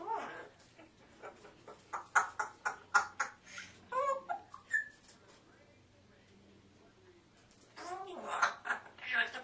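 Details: Pet African grey parrot talking indoors in a small room: bursts of speech-like syllables in uneven runs, with clear whistled notes near the start and end, a quiet pause in the middle, then a faster chatter.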